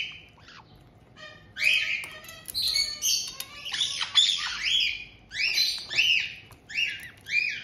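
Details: White-bellied caiques kept together in Tokachi, Hokkaido, Japan, June 2023, as an adult pair receives a new young bird aged just over two months. A run of about a dozen harsh, rasping squawks comes in irregular bursts, some overlapping.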